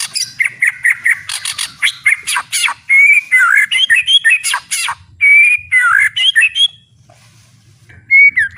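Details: Full-power song of a spirited White-rumped shama, with rapid clipped notes and rising, warbled whistles in quick phrases, a short pause, then one more whistle; faint low hum underneath.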